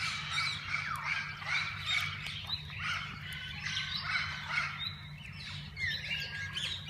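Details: Chorus of assorted parakeets in a walk-in parrot-zoo aviary, birds that visitors can feed by hand; continuous high chattering with quick rising chirps and warbles, constant low background drone.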